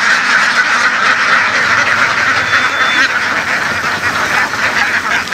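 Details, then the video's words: A large herded flock of laying ducks in the fields of Vietnam's western region quacks rapidly and continuously, harsh nasal calls overlapping several times a second in a thick, churning chorus. "Duck | Nghề nuôi vịt đẻ chạy đồng của người dân miền tây"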